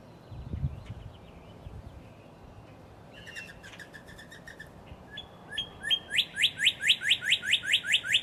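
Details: Northern Cardinal at Beargrass Creek, Kentucky, beginning with faint scattered notes and then a loud, even series of rising slurred whistles, each repeated about three times a second. A brief low thump is heard near the start.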